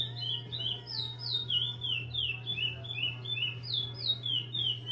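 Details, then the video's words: Chestnut-bellied seed finch kept in a breeding aviary, a repeater singer, pouring out quick descending whistled slurs in a continuous stream, roughly three notes a second, with a constant low electrical hum beneath. "CURIO REPETIDOR"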